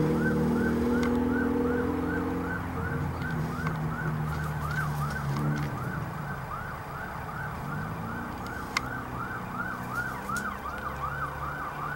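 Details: An emergency vehicle siren wails in a fast, rising and falling pattern over steady traffic rumble, with no animal sound heard.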